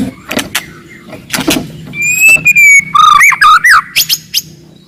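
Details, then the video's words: Wild forest white-rumped shama in aggressive, loud song aimed at stirring rivals: harsh clicks and rattles open, then a long level whistle and rapid looping slurred notes repeated several times. "KICAUAN MURAI BATU HUTAN, VOLUME KERAS, AMPUH MENAIKAN EMOSI LAWAN"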